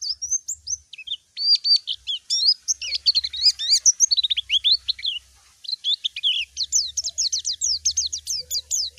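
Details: Rival-directed calling from a white-eye, with bright, high twittering phrases of steep downslurred notes repeated in quick bursts, a short pause midway, and a faint low hum underneath.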